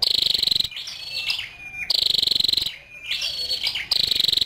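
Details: Scarlet-backed flowerpecker female giving three rattling, buzzy trills about a second long, separated by thin high chips and a faint steady whistle-like tone.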